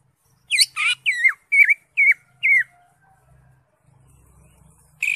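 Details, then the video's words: Green leafbird song meant to coax a caged bird into song: six clear whistled notes, each bending downward, spaced about half a second apart, then quiet with a faint low hum. "cucak ijo gacor"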